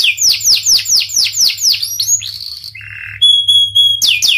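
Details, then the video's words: Panda canary delivering a series of repeated swooping whistles, then a rough buzzy note, a low nasal buzz, and a steady thin high whistle before the sweeps return. "Kenari panda gacor"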